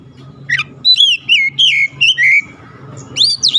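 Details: Oriental magpie-robin singing to stir lazy birds into song: a quick burst of clear, descending whistled phrases followed by a pause and then bright upslurred whistles, with a steady low hum behind.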